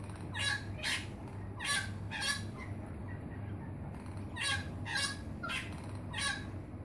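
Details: Wattlebird near Melbourne calling in loud, grating, coughing bursts, grouped in runs of three or four with a short pause between runs, over a constant low background hum.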